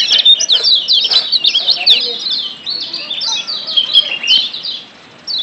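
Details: Wild Lombok yellow white-eye, a lure to get birds singing actively; dense, loud, high chirps tumble together in a fast chattering stream, then taper to a short silence and a final note.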